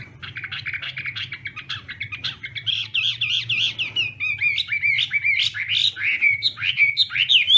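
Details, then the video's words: Chinese hwamei practising its morning song, a dense, fast jumble of warbled and trilled notes building into loud swooping whistles repeated almost twice a second. "Hoạ Mi Hót Đấu /hoạ mi hót sáng luyện giọng"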